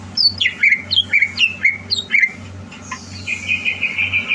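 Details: Greater green leafbird being readied for a contest, 30 November 2022, singing bright, high down-sliding whistles, about two per second, ending in a buzzy sustained trill over a low steady hum.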